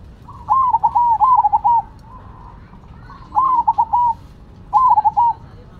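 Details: Active singing from Cemani and Silver zebra doves: three phrases of gentle, trilling coos, the first long and stuttering, the next two shorter, each a rapid run of wavering notes at a steady mid pitch.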